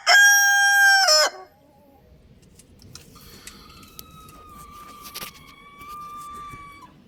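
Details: Young rooster crowing: a loud, harmonic-rich note held steady about a second, then dropping sharply at the end. Faint, thin whistled bird notes follow over quiet background hiss.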